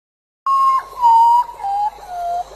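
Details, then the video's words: Potoo giving a mournful, ghostly lament like a long night-forest cry: four long, pure whistled notes stepping slowly downward in pitch over about two seconds; the species lives in tropical forests of Central and South America. "Burung potu terkenal dengan suara seram yang terdengar seperti ratapan hantu atau tangisan panjang di hutan malam."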